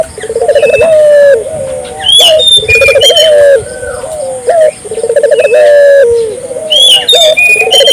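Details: Barbary dove calling steadily to stimulate nearby local doves: rolling pulsed trills each ending in a held, slightly falling coo, phrases run back to back, accompanied by high chattering chirps from other birds.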